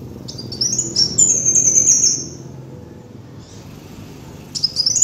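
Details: Lure recording of a kolibri wulung sunbird: one long high, thin, twittering phrase, a quiet pause, then a short burst of rapid notes at the end, over a low hum.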